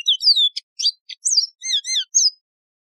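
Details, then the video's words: A lively, high-pitched twittering run from a Yellow-fronted canary, the wild canary called Mozambique serin in Algeria. It mixes clicks, paired chirps and rising-falling whistles in quick succession. "شريط تغريد البسبوس الموزمبيقي"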